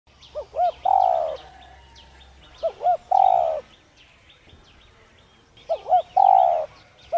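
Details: Spotted dove cooing to stimulate other doves to coo: three phrases, each two short arched notes and a longer, steady, mellow coo, about every 2.5 seconds. Thin high chirps from other birds run behind.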